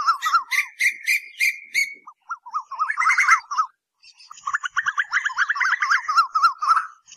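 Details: Asian koel calls used as night lure audio: fast bubbling runs of short wavering notes in several bursts, some higher and buzzier, separated by brief pauses.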